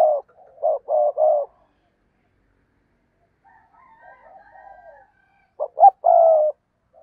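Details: Spotted dove kept as a decoy to lure wild doves. Three low coos open the recording, faint murmuring fills the middle, and a final sharp note and long coo close it.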